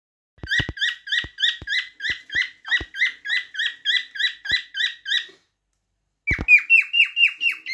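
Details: Cockatiel singing: a rapid series of about fourteen evenly spaced, harsh, chirping notes with rich harmonics, a short pause, then a shorter burst of brighter, slightly rising chirps, with a few soft clicks at the start.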